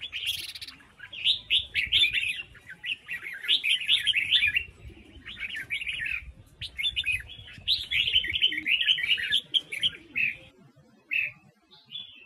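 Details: Female red-whiskered bulbul, a Huế bird, singing to spur newly caught wild males: long runs of lively warbled phrases made of fast rising and falling chirps, broken by brief gaps, with soft low background noise.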